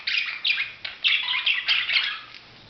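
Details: A budgerigar gives a rapid series of scratchy warbled chirps in about five quick bursts, each buzzy and full-toned, then fades to quiet.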